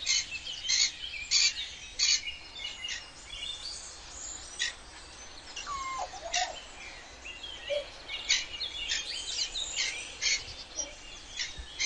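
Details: A wild cockatoo at dawn gives short, harsh, scratchy screeches in irregular bursts of one or two, high and rasping, with other birds chirping faintly in the background.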